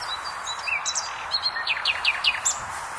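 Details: Common nightingale singing: a series of clear whistled notes that slide downward, four or five in quick succession at a high pitch, over a steady background hiss.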